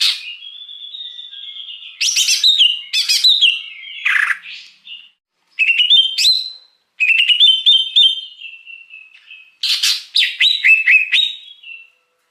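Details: Lengthy song of a wild greater green leafbird, used to attract wild birds. Long thin whistles alternate with quick chattering phrases and rasping bursts, given in separate bouts with brief silences between them.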